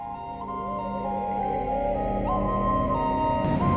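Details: Only soft instrumental music is heard: steady, flute-like tones with a low hum beneath and no animal calls.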